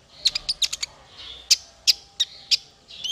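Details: Male konin song for training songbirds: a short run of high, sharp chips about every third of a second, somewhat softer, over faint background hiss.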